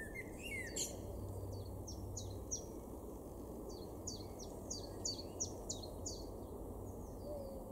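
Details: Common chiffchaff singing in a garden in Weener, East Frisia, northwest Germany, April 2022: about a dozen high, clipped notes alternating slightly in pitch, 'chiff-chaff-chiff'; another bird calls briefly at the start, over steady low rumble.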